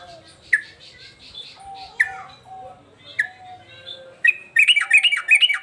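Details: Agitated male sooty-headed bulbul: a few spaced, clear chirped notes, then a rapid run of bubbly, rising-and-falling whistled notes at the end.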